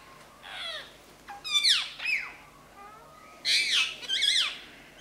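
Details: A tame Indian ringneck parakeet meeting two wild green Indian ringnecks: sharp, screechy downslurred squawks and shrill notes in irregular bursts, over a faint steady hum.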